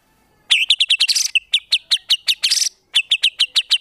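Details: Rapid staccato series of bright, clipped chips from a white-rumped shama training recording for contest birds, broken by two buzzy harsh bursts, with a short pause before the quick chipping resumes.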